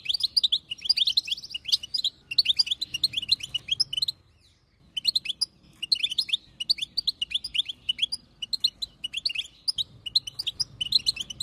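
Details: Female European goldfinch chattering to encourage a male to sing; continuous rapid liquid twittering with one clear pause near the middle.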